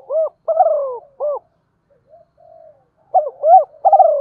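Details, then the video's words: Spotted dove used as a decoy, cooing to lure wild doves with a 'giọng thổ' voice. Short rounded coos and a long descending note, a brief quiet murmur, then a new burst of quick coos. "Chim Cu Mồi Gáy Nhiều_ gáy gọi bổi nhanh gáy"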